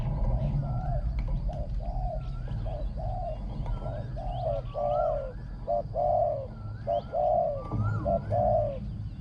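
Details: Spotted dove kept as a decoy for luring wild birds, its voice described as small and ringing with good coo phrasing; repeated short and longer coos about once a second, with a deep rumble and faint bird whistles.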